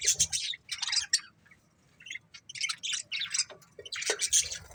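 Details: Breeding pair of budgerigars uttering clipped, high squeaky chirps and rasping chatter in repeated short bursts with brief silent gaps.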